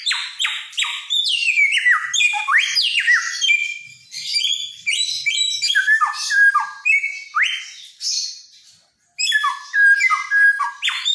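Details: Helmeted friarbird (samyong), a loud-voiced mimic of Nusa Tenggara, singing in full 'gacor' form: a rapid jumble of varied whistled notes, sharp downward slurs and bright chirps, nearly continuous, broken by a brief pause near the end.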